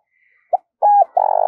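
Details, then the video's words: Spotted dove decoy bird in training giving a clipped low coo: a quick soft note, a steady half-second coo with a falling end, then a long buzzy coo cut off abruptly by a click. "Luyện Giọng Chim Cu Gáy Mồi"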